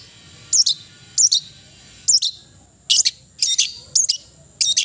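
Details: Cendet, the long-tailed shrike, giving spaced, very high scratchy notes and short harsh bursts, one roughly every half second to second, over a quiet background.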